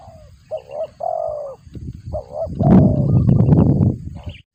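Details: Spotted dove calling while feeding its chicks, likened to a cricket's sound; short notes and a long buzzy coo, then loud rustling and knocking noise covering the last part.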